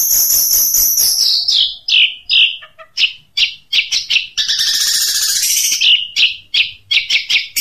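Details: Long-tailed shrike delivering 'tembakan unik' shots: a high shrill trill, then a rapid run of sharp, varied chirps and clicks, a dense raspy burst midway, and more quick staccato notes.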